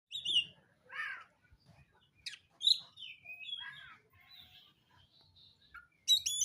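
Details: Black-morph oriental magpie-robin singing while seeking a rival to fight: varied phrases of clear whistles, short rising and falling notes and buzzy chirps, separated by brief pauses, ending in a loud burst of sharp high notes.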